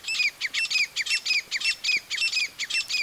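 A female grey francolin gives harsh, high, strident notes in quick paired bursts, about three a second, with no other sounds.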